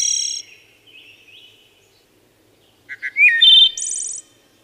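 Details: A wood thrush finishes a high trill, gives soft quiet notes, then a new phrase of two low chirps, a rising liquid whistle and a rapid buzzy high trill.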